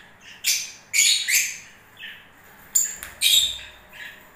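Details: Short, shrill lovebird squeaks in breeding season, in two clusters of sharp rising-and-falling chirps with softer notes in between.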